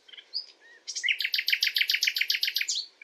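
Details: Common nightingale song recorded at night: a few soft whistles, then a loud, rapid machine-gun trill of about fifteen identical notes, closing with a slurred upward note.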